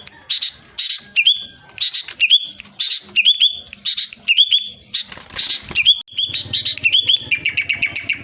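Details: Kept sooty-headed bulbul, Central Java, singing persistently: loud chattering bursts with rising whistled hooks, a louder noisy flurry midway, and a final steady string of quick lower repeated notes.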